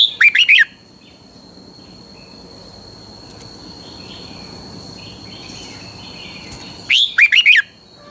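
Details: Doubled song style of a red-whiskered bulbul from Pa La-u, Thailand: two bright phrases roughly seven seconds apart, each a rising whistle and three or four quick warbled notes, over a constant high insect whine.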